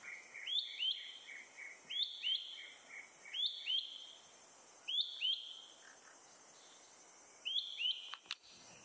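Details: Malaysian hawk-cuckoo perched high and calling nonstop after eating a caterpillar on a morning in Selangor, Malaysia, April 2021, song mixed with alarm calls: loud shrill two-note phrases, rising then level, repeated in bursts with pauses.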